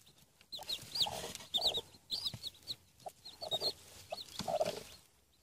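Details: Newly hatched Denizli chicks in Rize, seven hatched from eggs placed under a hen. Repeated high, thin, rising peeps come in quick bursts, with brief low clucking notes beneath them.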